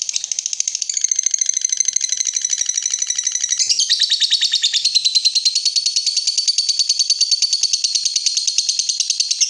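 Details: Pet lovebird in its long 'ngekek' trill, a recording used to draw answering song from other lovebirds: a dense, rapid, buzzy rattle of high notes running unbroken for nearly ten seconds, shifting pitch slightly around the four-second mark.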